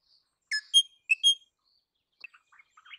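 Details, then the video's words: Crimson rosella giving four clear, bell-like whistled notes in two quick pairs, followed by a run of soft, low chuckling notes. "Crimson Rosella Call. Crimson Rosella Sounds. Crimson Rosella Song. Crimson Rosella Noise."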